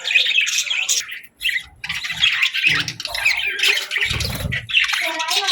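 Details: Budgerigars chirping in the morning, mixing squawks with fast twittering and rasping chatter, broken by a brief pause near the second mark and low thumping sounds in between.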